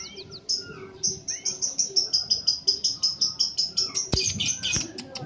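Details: {'caption': 'Chatty, tame scaly-breasted munia kept as a cage bird: a steady series of high, thin, pulsing notes, nearly three a second, with a couple of sharp clicks near the end.'}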